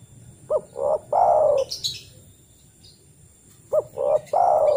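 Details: Lure call of the spotted dove, which in the wild summons other doves: two low hoarse three-note coo phrases, each a short note, a rolling note and a drawn-out final coo, with brief high chirps from another bird between.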